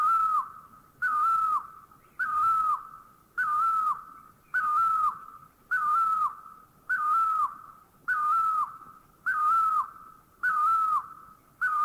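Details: Great Barbet recorded in Thailand, a long, very regular run of about ten plaintive whistled notes, each flat then falling off at its end, evenly repeated every second or so against near silence.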